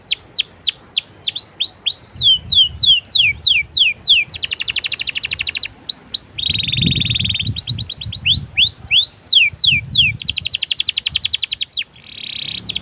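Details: Canary song used as a prompt for other canaries: series of falling whistled sweeps, fast rattling trills, a buzzy rolled tone, and more sweeps and trills in varied sequence.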